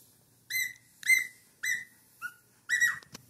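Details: Cockatiel aged four months in full song: three loud, flat whistled notes with strong overtones about half a second apart, a short lower whistle, then a final wavering, slightly falling whistle, followed by a faint click.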